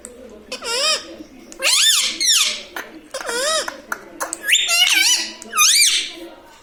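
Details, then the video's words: Indoor pet parrot mimicking mummy papa: repeated pairs of high, wavy, speech-like syllables in four bouts, each a dipping then rising tone, with short clicks in between. "Mummy pappa talking parrot🦜🦜 || mithu hu mithu || मम्मी पापा बोलने वाला तोता"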